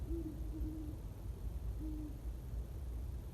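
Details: Two great horned owls calling back and forth at sunset on the winter solstice, Greenbelt, Staten Island: a long, slightly falling run of deep hoots, then a single shorter hoot after a pause, with a low background rumble throughout.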